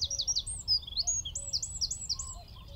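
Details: Eurasian wren in song from a tree at Wicken Fen, about 15 m distant, shotgun mic: a hurried stream of very high, sweeping chirps repeated several times a second over faint low background noise.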